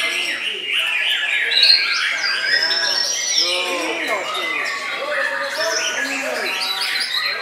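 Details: White-rumped shama (murai batu) singing while bowing low, a dense run of varied, fast whistled and chattering high phrases throughout, with lower harmonic, voice-like sounds overlapping in the middle.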